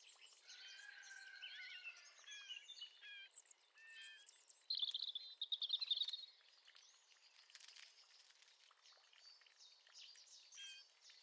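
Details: Male Eurasian blackcap, about 30 metres off and recorded from a kitchen window, gives jumbled warbling and whistled notes, then a loud, rapid rattling trill midway, followed by quieter chatter against soft background noise.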